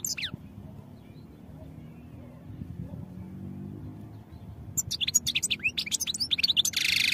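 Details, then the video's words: European goldfinch training song: a brief descending chirp at the start, then near silence, then from about five seconds a rapid run of high twittering notes ending in a harsh buzzy trill. "Goldfinch Songs for Training"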